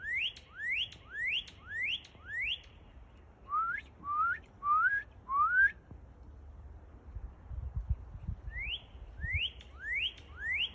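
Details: Singing northern cardinal delivers a series of five upward-sweeping whistles, switches to four lower, sharper rising notes, pauses, then resumes the higher slurred whistles; steady rhythm of roughly one and a half notes per second.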